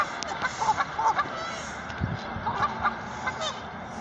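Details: Canada geese giving scattered short honks, several soft nasal notes spaced irregularly across the clip over low background noise.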